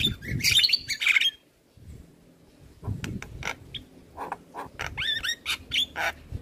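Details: Male Javan myna giving a full-isian song as a prompt for young mynas: an opening burst of harsh chatter, a quiet gap, then spaced clicks and repeated up-and-down whistled phrases.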